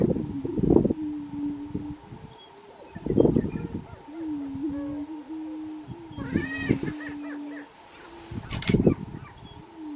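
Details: Colorado grouse on a lek, 2023: a steady low moaning tone broken by loud low bursts every two to three seconds, with a brief cluster of higher cackling, arched notes near the end.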